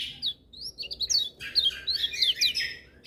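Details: Energetic lemon-bellied white-eye singing as other birds chime in. A dense, continuous flow of high, quick, sweet twitters and slurred notes runs unbroken through the whole stretch.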